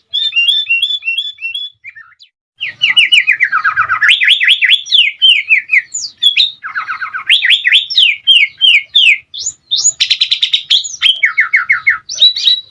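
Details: Sooty-headed bulbul song used as a training recording to make other birds sing and answer: fast runs of sharp, rising and falling whistled notes, repeated in quick series with brief pauses, shifting between higher and lower phrases.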